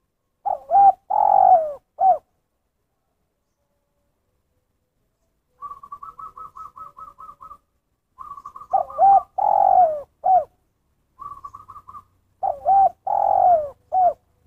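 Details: Spotted dove giving the 'kuk satu' style of call: three-part cooing phrases of a wavering note, a long falling coo and a short final note, interrupted by rapid series of higher pulsed notes, against a quiet background.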